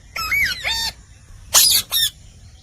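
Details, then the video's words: Indian parrot, the rose-ringed parakeet, talking: two drawn, ringing calls with a wavering then falling tone, followed by two loud harsh hissing screeches. "Indian Parrot Talking Natural Sounds"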